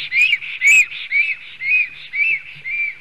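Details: Nest-defending male black stork, Sigulda area of Latvia, late July 2020, nest webcam recording: six high whistled notes, each rising then falling, spaced roughly half a second apart, strongest at the start.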